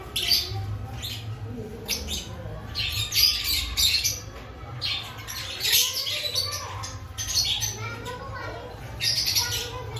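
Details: Aviary lovebirds ahead of breeding season giving loud grating squawks in clusters roughly every one to two seconds, mixed with sharper chirps over a low background hum.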